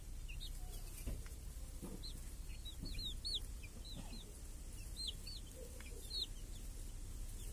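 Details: In a village on a clear summer day, chicks feed and chase flies beside hens inside a protective cage; many shrill, curved peeps tumble over one another continuously above a low rumbling background.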